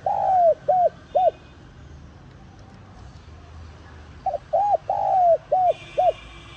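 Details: Spotted dove calling to lure wild doves: two phrases of low hollow coos, each a short note, an arched coo and clipped repeats, separated by a pause of about three seconds; faint hum and a brief high whine.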